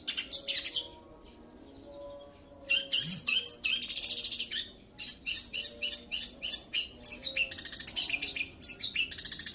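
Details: Long-tailed shrike singing in the rolling 'roll' style: dense, rapid bursts of high chirps, trills and buzzy notes, up to about four per second, broken by a short pause near two seconds, with faint low hum underneath.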